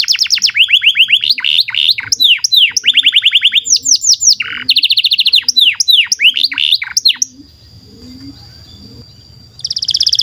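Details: Singing canary, a long tutor song for young or silent canaries: varied tours of quick falling whistles and dense trills switching every second or so, then a pause with soft low rumbling and a thin steady tone before a dense trill resumes.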